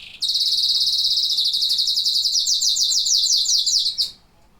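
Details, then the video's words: A singing canary delivers one loud, very fast, high rolling trill lasting about four seconds, its notes repeated steadily with only slight changes in pitch before stopping abruptly. "Singing canaries."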